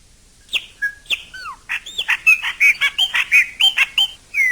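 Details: Chopi blackbird singing in nature: a few sharp whistled notes with falling slurs, then a rapid, loud series of ringing, looping whistles, about a dozen notes in quick, irregular succession.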